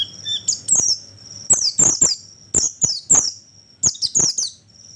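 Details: Oriental white-eye lure call for drawing in birds: sharp, high descending chirps given in clusters of two or three, about once a second, with a thin whistle trailing at the end.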